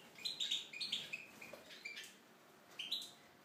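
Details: Tunisian goldfinch in an aviary giving quick tinkling, chattering notes in a rapid burst, then a pause and one more short twittered phrase.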